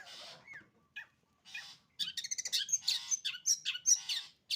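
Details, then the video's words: Long-tailed shrike singing in sembur style: a pause-filled opening of scratchy notes, then a dense run of harsh, buzzy chatter and sharp high squeaks in rapid succession. "burung cendet sembur"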